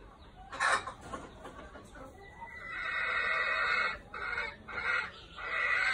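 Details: Decoy red junglefowl with golden hackles crowing: an early short harsh burst, then a long ragged crow broken into several segments over three seconds, over steady background noise.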